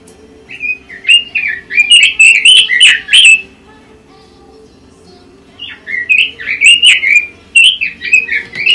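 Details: Pekin robin singing in the chattering ngoceh style: two bursts of rapid, warbled, sweet twittering phrases, each about three seconds long, separated by a short pause, over a steady low hum.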